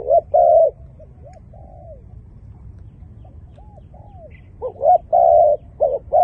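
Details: Dove, described as having a fine voice, giving low mellow coos: a pair of short notes, a pause with soft falling notes, then a rapid burst of short and longer coos near the end, over faint background hum.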